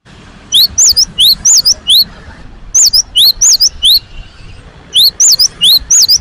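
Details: Newly caged great tit (gelatik batu) singing straight away: bright upslurred two-note whistles repeated quickly in three bursts of about five phrases each, separated by short pauses, over a faint hiss.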